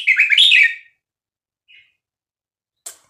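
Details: Red-whiskered bulbul, Vietnamese type, kept caged, singing to teach and excite young birds; one quick bright warbled phrase, then a faint short note and a click.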